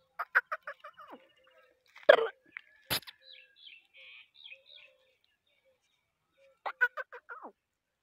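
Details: Black francolin (kala tetar) from Sindh giving harsh, grating bursts of five or six quick clipped notes, repeated after a pause of several seconds, with a couple of sharp clicks in between.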